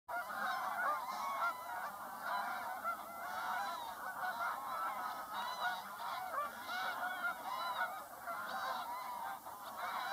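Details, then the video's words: Mixed geese calling as a flock, a dense continuous chorus of overlapping nasal honks and cackles, with many birds calling at once throughout and a steady background hiss. "mixed geese"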